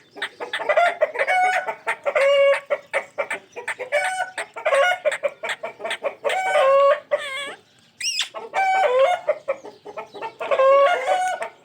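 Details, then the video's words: A pet Ringneck parrot gives rapid bursts of harsh, nasal chattering calls, with clucking-like notes every couple of seconds and one high rising whistle. "amazing sounds of my Ringneck parrot"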